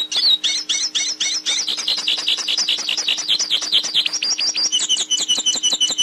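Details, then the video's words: Hooded siskin (pintassilgo) song, offered as a model for teaching a captive bird to sing: a fast, continuous stream of high twittering notes and rapid chirps, with sweeping trills and jumbled phrases. The stream never pauses, and a faint steady hum runs underneath. "Canto Pintassilgo - Canto Para Ensinar Seu Pintassilgo Ouça o Canto Pintassilgo"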